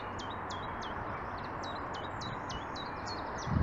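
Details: A common chiffchaff (Phylloscopus collybita) sings a steady run of high, sharp notes, about three each second, over a low rumble of wind with a gust at the end.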